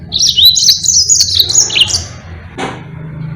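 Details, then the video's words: Yellow-fronted canary song for teaching other birds: a continuous high, rippling run of quick chirps and warbles for about two seconds, then a short click and quiet low hum. "Burung Mozambique GACOR NGEROL PANJANG sangat Jitu buat masteran"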